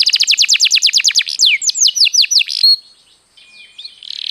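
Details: ['Canary song played as a lure to get other birds singing: a fast run of repeated high notes about five a second, then several sweeping downslurred whistles, ending in a short quiet stretch with a faint thin whistle.']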